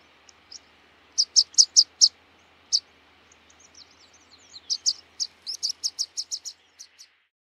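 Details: Rock pipit with a burst of shrill high notes, a lone chip, then softer twittering that builds into a quick run of sharp notes before trailing off, over light background hiss.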